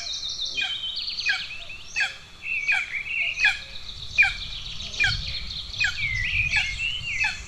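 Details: Golden eagle chicks going hungry at an Estonian nest on 2 June 2024, one chick aggressive toward the other, utter about ten shrill down-slurred squeals at a fairly regular pace, some notes wavering and drawn out.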